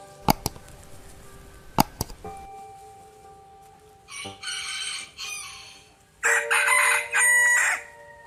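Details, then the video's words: Chickens in Bangladesh: a few sharp clicks, then two loud, harsh, drawn-out crowing bursts with a hoarse rising edge, each lasting one to one and a half seconds, over faint steady musical tones. "Hen Sound Effect"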